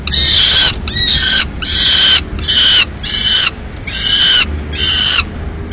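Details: Peregrine falcons at a nest in Madrid on 15 May 2016, as the male brings in a still-living swift that the female then kills. Harsh, strident wailing calls sound in drawn-out bursts of about half a second, repeated steadily.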